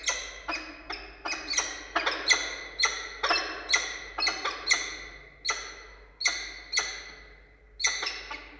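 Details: Wild peregrine falcon pair meeting at a nest site in Orange, Australia, 2 August 2022, male bringing a prey gift to the female: a steady series of sharp, harsh, descending chipping calls, often doubled, repeated about twice a second.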